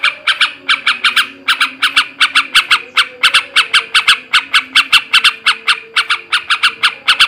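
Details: Male sooty-headed bulbul delivering ngebrem ngekek garuda style chatter to raise breeding condition: long continuous series of coarse, buzzy notes, sometimes doubled, with a soft low drone behind.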